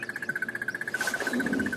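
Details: Crested barbet (Trachyphonus vaillantii) in African bush on a hot, cloudless February morning, calling overhead: a long, even trill of rapid notes, about fifteen per second, steady in pitch and held for a long time in one breath.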